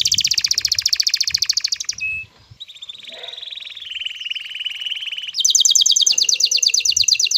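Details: Male canary in courtship excitement, singing to bring a female into mating posture: a rapid high rattling trill, a brief pause, then a drawn-out buzzy tour sliding lower, before a bright fast trill returns.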